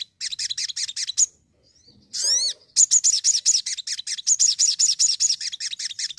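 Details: Crimson sunbird singing energetically: quick trains of high, bright chirps broken by a burst of stacked falling whistles, then a long, fast run of sharp repeated chips.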